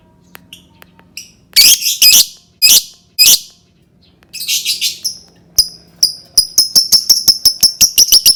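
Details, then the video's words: Lovebird song used to prompt other lovebirds to sing: scattered ticks, loud rasping squawks, a buzzy chatter, then a fast even run of sharp repeated chirps at about two per second. "Suara burung lovebird cocok banget untuk pancing lovebird berbunyi"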